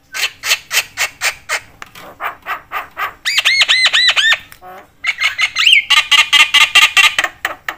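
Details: Javan myna, a lively chattering bird, calling to provoke other mynas: harsh squawks repeated about twice a second, then a run of looping arched whistles, then rapid buzzy notes with a rising whistle.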